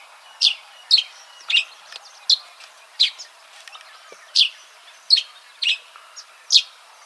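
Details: Yellow-throated sparrow (Gymnoris xanthocollis), call.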